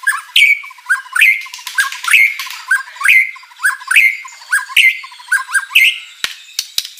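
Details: White-rumped shama singing vigorously with full fill-in material as a lure for rivals; a rhythmic phrase repeated about every 0.8 seconds, low bubbling notes leading to a sharp rising whistle with harsh overtones.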